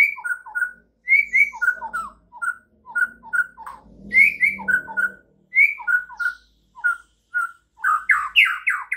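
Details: White-rumped shama singing a morning training song to get other shamas singing, with quick paired whistled notes repeated in short bursts, some sharp upward flicks, faint low rumbling mid-way, and a louder rich warble at the end.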